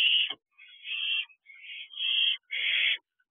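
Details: Young barn owl in the doorway of its nest box, practising wing flaps one June evening; four rasping, breathy screeches, each roughly half a second to a second long, separated by brief silences.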